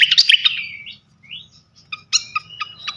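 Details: Flycatcher lure song to provoke other flycatchers: a loud burst of chattering notes ending in a long downslurred whistle, a short rising whistle, then several spaced sharp chirps.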